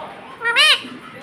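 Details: Pet parrot, apparently a ring-necked parrot, speaking a word indoors while saying "mummy" and "papa": one short, arched, nasal syllable rising then falling, with soft background room noise.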